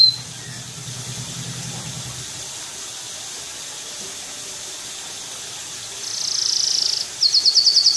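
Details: An Atlantic canary of the loper type in full song. After several seconds of near quiet it bursts into a fast, high, buzzy trill, pauses briefly, then resumes with rapid repeated sharp notes.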